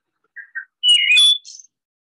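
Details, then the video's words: Wood Thrush song with its yodeling sound: two soft low notes, then a rich, fluty, yodeling phrase ending in a high, buzzy trill, with no other sounds. "Wood thrush has kind of a yodeling sound that it makes."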